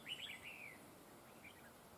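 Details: Whistled song from a red-whiskered bulbul decoy used for trapping, in the double linked style: a quick run of warbled, wavering notes descending into a drawn-out slur, then two faint notes after a pause.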